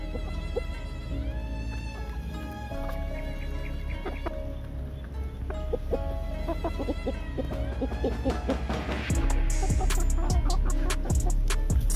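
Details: Steady background music with rhythmic beats and tones is heard, and no animal sound is present.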